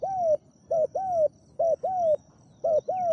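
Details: Spotted dove kept as a caged decoy for luring wild doves, singing a big-voiced 'khu ang' coo. Paired notes, a brief hoot then a drawn-out, gently falling one, repeat roughly every second over a quiet background.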